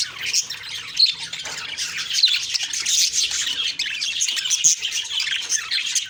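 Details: Budgerigars chirping on the morning of October 2, 2023, with steady high twitters, short whistled squeaks and rasping notes overlapping continuously.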